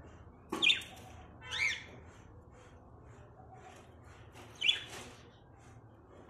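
A Java sparrow gives three short, bright, slightly harsh chip notes, two close together and one after a pause of about three seconds, against a quiet background.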